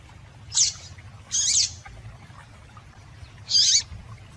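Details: Female double-collared seedeater calling to excite males: three bright, high, slightly buzzy notes, the middle one longer, separated by pauses of about a second and two seconds, over a low background hum.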